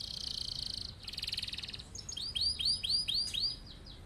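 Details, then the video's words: Canary song used as a master for other birds: an opening buzzy rolled trill in two bursts, followed by a string of arched whistled notes repeated about three times per second. "Kenari gacor cocok buat pancingan atau masteran burung"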